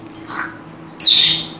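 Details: A pet African grey parrot, drying its feathers after a bath indoors, imitates its owner's cough: a faint soft squeak, then a single harsh, breathy burst of about half a second.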